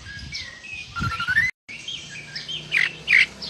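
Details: Oriental magpie-robin singing with imitated lovebird calls. A rising slurred whistle is followed, after a brief gap, by rambling sweet notes and two loud, squeaky chirps near the end.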